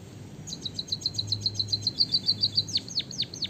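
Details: Long-rolling song of a white-headed Javanese munia with canary fill: a steady rapid string of high chip notes, about three or four per second, ending in several loud, sharply falling whistles, over a low hum.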